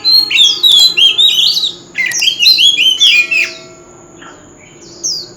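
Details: Old wild-caught oriental magpie-robin singing loudly on a street corner: rich bursts of clear, rising and falling whistles and quick warbled phrases for two seconds, then quieter, with thin descending notes repeating in the background.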